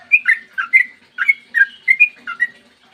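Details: Sooty-headed bulbul, long song used to get other bulbuls singing; a lively string of bright whistled slurs, some paired, about three per second, loud and clear over a faint hum.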